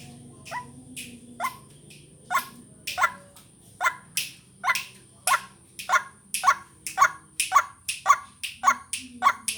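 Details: Ruak-ruak, or white-breasted waterhen, lure recording for vocal training. Scattered croaks at first settle into a faster, steady series of harsh repeated notes, about sixteen in all, with a low hum underneath.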